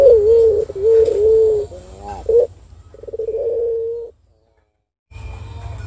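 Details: Turtle dove giving soft, steady mid-pitched coos in drawn-out phrases, used as a lure recording to prompt other doves to answer, with a short pause and a faint low hum behind.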